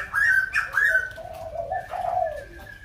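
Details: White-crested laughingthrush from Kbang: a short burst of loud, slurred notes followed by a drawn-out, wavering low hoot, with a thin whistle behind.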